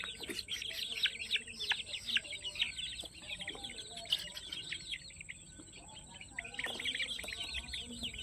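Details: Peruvidai chicken chicks on a farm, many peeping together in a dense, continuous chorus of thin, high chirps, with faint background hum.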